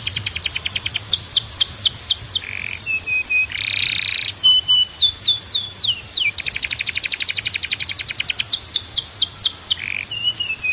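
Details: Canary training song: alternating fast trills and descending whistled slurs, broken by short level piping notes and a loud buzzy chord, with a steady high whistle running beneath.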